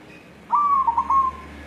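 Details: White zebra dove, a local wild-type bird, calling while looking for a mate: one clear cooing phrase near one pitch, opening on a sharp note then wavering through quick rolled notes before fading, over quiet background.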